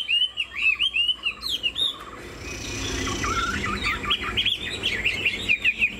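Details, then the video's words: Caged Chinese Hwamei, 90% pure, nodding and spreading its wings as it sings. Clear rolling whistled phrases open the song, a brief blurred noisy stretch follows, then a twisting, warbled run of varied notes. "Họa mi thuần 90%, chơi cánh, hót gật gù múa lân"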